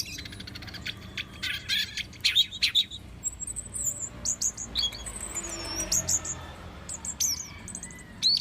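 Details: Orange-headed thrush song: bright varied phrases of sharp high notes, rapid clicks and brief whistled slurs, coming in short bursts with pauses between, over a faint low background hum.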